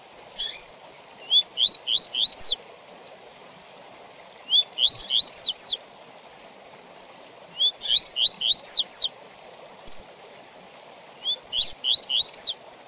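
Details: Double-collared seedeater song in the Tui Tui Zel Zel style, with pauses, for teaching young males and for tournaments: bursts of quick rising whistled notes with sharp high slurs, separated by gaps of about two seconds, over a faint steady high tone.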